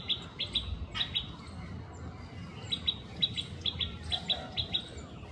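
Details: Feeding rufous treepie: clusters of sharp high chirps repeated in quick pairs and triplets, a pause midway, then a steady run of similar notes, with low background rumble throughout.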